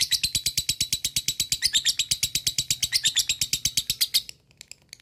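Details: Shrill rapid chattering trill from a lovebird, the long ngekek played to get other lovebirds excited, running steadily for four seconds before ending in a few scattered faint notes.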